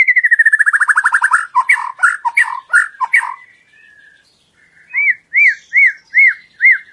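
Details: White-rumped shama song used as a lure to make other shamas sing out fully: a fast descending trill, then rich chattering phrases, a pause, and five clear arched whistles spaced evenly apart.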